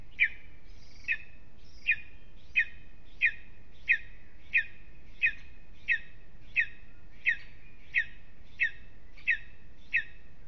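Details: Lesser spotted eagle at its nest in an aspen at Aizkuja, Latvia, on a restless evening: sharp, high, slightly falling yelps repeated steadily about every 0.7 seconds, roughly fifteen in a row, over a low background hum.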